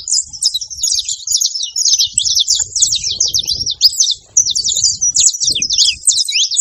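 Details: A group of saffron finches noisily gathered at a feeding spot, giving rapid, overlapping high chips and squeaky twitters in an unbroken chorus, with faint low thumps and rumbles underneath.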